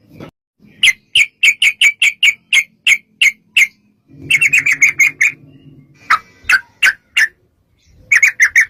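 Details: Yellow-vented bulbul in a long rapid 'ropel' song used as a lure to make other bulbuls answer: a quick run of sharp bright chirps, then a dense chattering burst, a short pause and more clipped notes.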